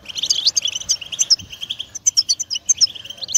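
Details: European goldfinch song for prompting a pet bird to sing, a run of sharp high chirps and liquid twitters in bursts, steady and lively.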